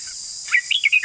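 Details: Red-whiskered bulbul in a long song with a pleasing style. A short, bouncy phrase of five liquid whistled notes steps up and then down, with a high insect hiss behind it.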